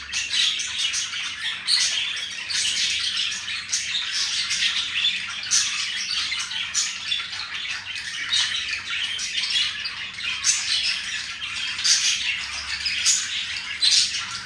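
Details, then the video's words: Pair of caged budgerigars being affectionate with one another, chattering nonstop in a busy, bright warble full of quick chirps, clicks and short squeaky whistles over the whole stretch. "the budgie showing affection for each other"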